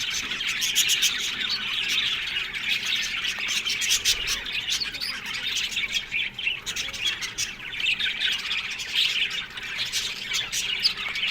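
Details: Budgerigars in an Australian budgie aviary colony keep up a continuous warbling chatter of quick chirps, clicks and trills, many birds overlapping, with occasional sharper squeaks over eleven seconds.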